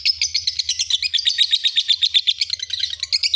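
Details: Master recording of a lovebird for training other birds: a continuous rapid stream of high, shrill chirps at roughly four per second, somewhat uneven in pitch, over a faint low background hum.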